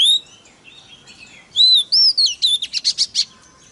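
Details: Song of a White-rumped shama meant to provoke other shamas: quiet soft notes at first, then loud rich whistles followed by a fast series of sharp repeated chips.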